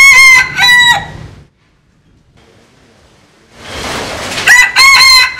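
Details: Rooster crow from a compilation of Vietnamese and American Sil chickens: loud, ringing harmonic crow notes in two short bursts, then near silence, then another crow with rising noisy onset and two clear tonal syllables.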